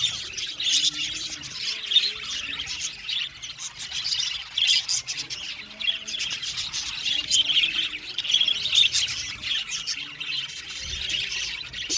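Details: Australian budgies in an aviary colony singing and chirping: a steady, crowded chatter of high scratchy warbles and squeaks from many birds at once, with occasional sharper notes rising above the mass.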